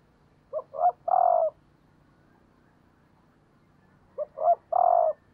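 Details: Female spotted dove kept as a decoy, calling to stimulate males: two three-part cooing phrases about three seconds apart, each with two short soft notes and then a longer, louder, slightly falling coo, over a quiet background.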